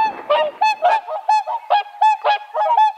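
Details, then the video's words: Whooper swans (Cygnus cygnus) give loud, nasal, trumpet-like bugling honks, about three or four per second in a fast irregular chorus. "Whooper Swan (Cygnus cygnus)"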